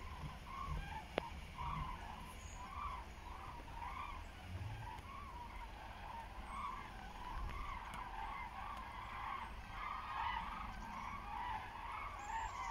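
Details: A flock of common cranes flying west-southwest over Frankfurt am Main-Preungesheim at 14:45 on 17 October 2023, under cloudy, hazy skies, gives rolling, trumpeting krooh calls that overlap continuously over a low rumble of wind or distant traffic.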